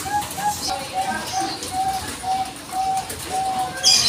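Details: Bangkok zebra dove lure call meant to draw a reply: a series of short, clipped coos at one steady pitch, spaced unevenly about twice a second. A brief high chirp is heard at the end.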